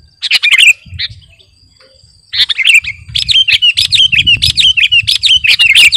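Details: Sooty-headed bulbul of the 'garuda' type sings for training or luring birds: an opening chirpy phrase, a pause of over a second, then a fast, steady series of sharp chirps and slurred whistles.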